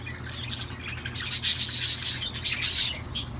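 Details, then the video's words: Budgerigar song as a loud, high, rasping chatter: fast scratchy chirps that swell in the middle, then break into a few separate squeaks near the end. "تغريد طيور الحب"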